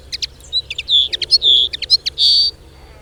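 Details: Wild Lesser Redpoll singing: a rapid run of dry chattering notes and short buzzy trills, high-pitched, with several longer rattling buzzes in the second half, then stopping after about two and a half seconds; quiet background.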